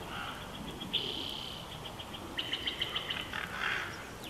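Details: Bald eagle from a Big Bear Valley nest camera, June 12, 2021. A faint run of about six quick high notes is followed by a squeal, partly masked by a constant hiss.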